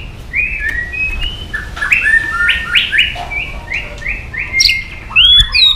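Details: {'caption': 'White-rumped shama singing to provoke emotion in other birds. A run of short, evenly spaced rising whistled notes against a noisy background, ending in louder high phrases.'}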